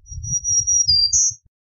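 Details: Black-throated green warbler giving thin, high buzzy notes: a long level buzz, then a slightly lower one, then a short, louder rising buzz, over low rumbling handling noise.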